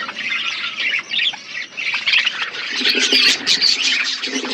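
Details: Budgerigars chirping in an aviary in a forest environment: overlapping shrill chatter, scratchy squawks and brief whistled notes over a constant flock hum.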